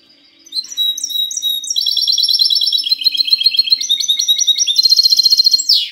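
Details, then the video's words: Mixto de jilguero, a goldfinch cross, singing 'cante limpio' on 19 March 2020: sliding whistles leading into extended rapid trills that change tempo, closing with a fast buzzy burst. "mixto de jilguero cante limpio"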